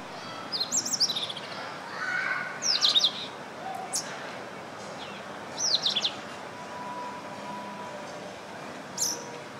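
Indian robin giving short bursts of high, sharp chirps and warbled notes, spaced irregularly every two to three seconds, over steady background hiss.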